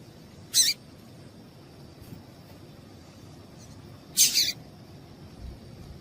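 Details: Two high, scratchy chips from a female yellow-bellied seedeater, about three and a half seconds apart, calling to make the male sing, over a faint constant high whine.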